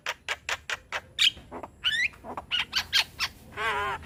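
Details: A young Javan myna (Acridotheres javanicus) sings frequently while bobbing its head: a rapid jumble of harsh squawks, short chirps and rising whistles, ending in a buzzy wavering trill. It serves as a model song for other mynas to copy.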